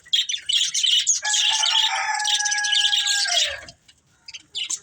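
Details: Rapid high budgie twittering from pet birds at play and feeding, including a sustained tonal note that bends downward, then a short quiet gap before more chirps.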